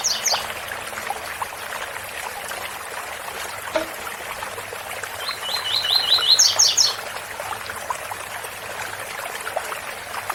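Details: Amid steady waterfall noise, a rusty-collared seedeater delivers one 'tui tui' style phrase midway: five or six fast rising whistles capped by three higher, sharper notes, with brief high notes at the very start.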